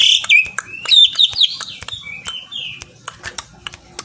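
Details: Javan pied starling singing to call a rival: a quick run of sliding whistles and chirps, then sharp ticking clicks that grow sparser and softer toward the end.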